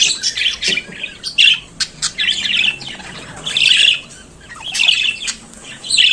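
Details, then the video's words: Pet budgerigar singing and chattering: uneven stream of short clicks, buzzy warbles and chirps, louder rasping phrases coming every second or so. "Periquito Cantando e Conversando Sonidos de Periquito Australiano"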